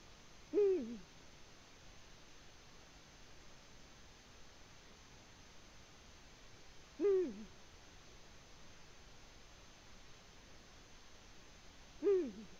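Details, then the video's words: Eurasian eagle-owl calling from its nest, Latvia, 14 February 2020: three separate short hoots, each rising then falling, spaced roughly six seconds apart over steady low noise. "Eagle Owl, Latvia 2020-02-14 Bubo in the nest"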